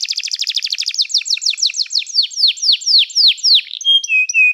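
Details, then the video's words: Canary singing for training: a fast, buzzy rolling trill gives way to a series of slower, loud downward-slurred whistles, then a few short flat high tones close the phrase. "O som do canário cantando é muito gostoso! melhor treinamento para canario"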